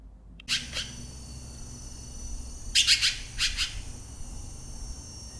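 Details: Red-billed Blue Magpie at Nam Nao National Park, Thailand, giving harsh, rasping high-pitched calls: two single notes, then two quick bursts of three and two grating notes, over a low background hum.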